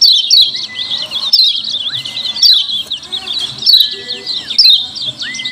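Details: Used as a lure for other white-eyes, the noisy 'ciak ciak' call of a lemon-bellied white-eye: shrill chattering chirps throbbing about once a second, joined by long even whistles that curve up and then fall.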